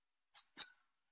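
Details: Calling young female Bananaquit gives a quick double squeak, two thin high-pitched notes a fraction of a second apart, in silence.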